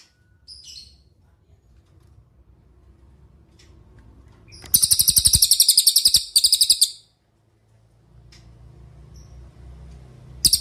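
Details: Cililin song used as a master for training songbirds: after quiet low background hum and a few faint high chips, a loud rapid trill of repeated high notes runs about two seconds, then quiet again.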